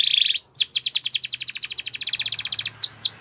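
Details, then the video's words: Spanish Timbrado canary singing a training song for young birds: a short buzzy trill, a pause, then a long even run of rapid metallic notes, about ten per second, closing with two sharp separate chirps. "Spectacular SPANISH TIMBRADO Canary, This Canary Invites All Birds to Sing"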